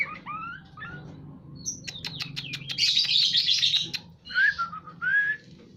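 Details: White-rumped shama in breeding condition sings rising slurred whistles, a string of sharp clicks, a harsh buzzy burst and two clear upswept whistles, against a faint steady hum.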